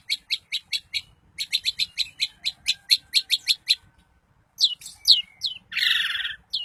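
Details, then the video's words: Long-tailed shrike, Daput type, singing to provoke rival shrikes: evenly spaced crisp high chips, a short pause, then slurred descending whistles and a harsh rasping burst. "Cendet Manapun bakal GACOR dan EMOSI dengan kicau Cendet Daput Ini"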